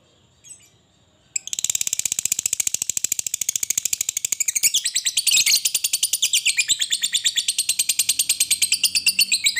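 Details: After a second of near silence, a fighter lovebird launches into long ngekek chatter, a continuous rapid pulsing trill, high and buzzy, running steadily for eight seconds; meant to lure lovebirds into singing.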